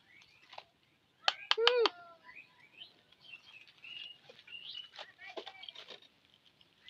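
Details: Pet talking parrot that speaks like a human: a burst of sharp harmonic squawks, then a string of short chirpy, speech-like syllables and whistled notes, with quiet indoor background.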